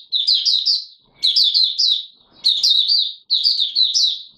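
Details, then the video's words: White-eye (Mata Puteh Raja) in captivity, opening song before full condition, 9 May 2022: four bursts of high, rippling twitter, each a rapid chain of falling notes, about one per second. "Mata Puteh Raja V1 buka sing not full condition yet"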